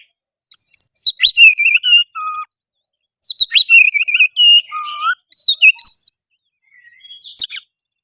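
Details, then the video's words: Oriental magpie-robin song meant to provoke another bird into singing, fighting and tail-spreading: three lively phrases of sweet rising and falling whistles mixed with buzzy notes, ending in a few faint chips and a brief squeak. "suara kacer gacor pancingan kacer susah on pasti langsung on tarung buka ekor"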